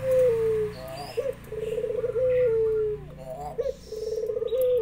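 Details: Local spotted dove calling actively, with zebra doves answering: drawn-out hollow whistled tones that slowly fall, alternating with rapid rolling, throbbing coo phrases, then repeating.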